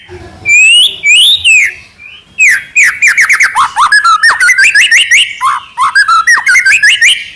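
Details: White-rumped shama singing trotol: loud looping whistles, then rapid sequences of descending slurred notes and chattering phrases that flow almost without a break.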